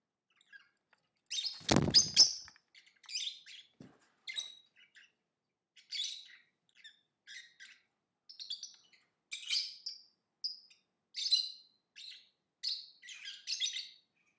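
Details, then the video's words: Lovebird chirping: a loud thump near the start, then a steady series of short high squeaks and twittering chirps roughly every half second to a second. "Lovebird Singing & Chirping Sounds"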